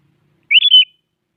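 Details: One rich, fluty, bubbling phrase of three linked notes from a sooty-headed bulbul, sung in the morning to challenge a rival, clear and isolated against silence.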